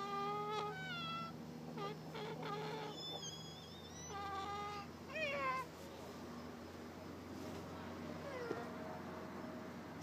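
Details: An Ameraucana hen, young, purrs like a kitten: soft trilling purrs and brief rising and falling murmurs in scattered bursts over a steady low hum.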